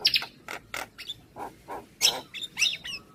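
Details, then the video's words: Morning song of a Javan pied starling that sets neighbouring starlings answering: separate harsh, noisy chattering notes alternating with short whistles, spaced about half a second apart. "Masteran Jalak kebo Pagi Hari Suara Kicauannya Bikin Jalak Tetangga Langsung Nyaut"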